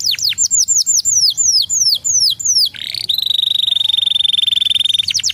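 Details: Canary song meant to stimulate other canaries: rapid repeated downward-slurred whistles, a quick dip, then a long fast-pulsed steady trill at high pitch lasting about two seconds.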